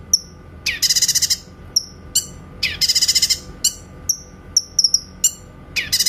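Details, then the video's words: Clear 'tembakan' song of a grey-cheeked bulbul, a training recording for white-rumped shamas: two dense rattling bursts of rapid pulses alternating with short high whistled notes and sharp chips, on a quiet background. "MASTERAN BURUNG CUCAK KINOY SUARA TEMBAKAN JERNIH"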